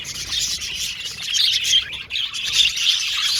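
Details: Flock of male blue and violet budgies in an aviary giving rapid high chirps and warbled twitters, a busy overlapping chatter that briefly dips in volume midway before swelling again.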